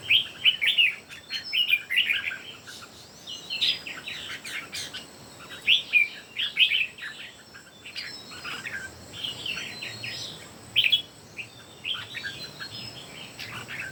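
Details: Competitive singing by three red-whiskered bulbuls: a long run of lively, liquid whistled phrases, each a quick cluster of rising and falling notes, repeated in bursts with brief gaps throughout.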